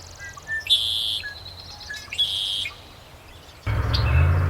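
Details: Red-winged Blackbird at Somenos Marsh wetland, Vancouver Island, British Columbia, sings twice: a short clipped note, then a harsh, buzzy trill about half a second long. Rumbling wind or handling noise follows.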